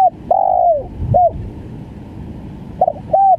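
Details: Spotted dove, 'gagap' stutter call: long sliding coo, short coo, pause, then a stammered double note and another short coo, mellow and low against faint background noise.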